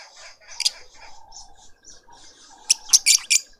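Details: Lovebird family in a suburban garden in Pretoria, South Africa, feeding a juvenile: soft chattering, one shrill chirp early, then a burst of four piercing high chirps near the end.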